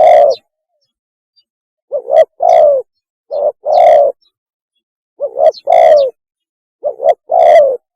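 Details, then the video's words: Mating call of the spotted dove, recorded for luring: repeated phrases of low hollow coos, a clipped double note followed by a drawn-out coo that drops slightly, about four phrases in steady succession. "PANGGILAN KAWIN...!!! SUARA BURUNG TEKUKUR TERBAIK"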